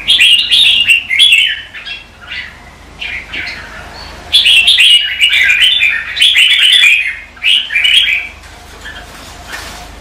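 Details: Red-whiskered bulbul practising competitive singing in the morning as training lure: clear whistled phrases in bursts, rising and falling, separated by quieter gaps with a faint low hum.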